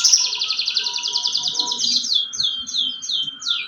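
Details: Canary in song, a long fast rolling trill of clear high notes sustained for about two seconds, then a run of quick descending whistled slurs.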